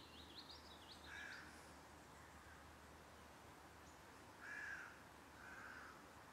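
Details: Great spotted woodpecker, a father with his fledgling, in Voßmoor moorland southeast of Hamburg, June 2019, gives three short, harsh, rasping calls a few seconds apart; a high wavering whistle from another bird opens over soft hiss.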